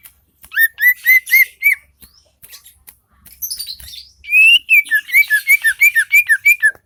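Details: Lively greater green leafbird song from Lembah Selawah in Aceh: bright whistled notes repeated in quick series, a pause with scattered chips and a rasping phrase, then a rapid string of clear, slurred whistles.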